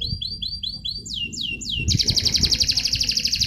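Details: Contest training song of a canary: a series of short downslurred whistles repeated twice a second, then longer swooping slurs, breaking into a rapid, rich rolling trill.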